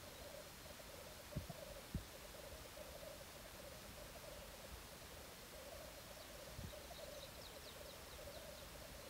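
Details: Black grouse on a courtship display ground, recorded in 2014. A continuous low bubbling drone runs throughout, with a couple of dull knocks early on and a faint run of high ticking notes near the end.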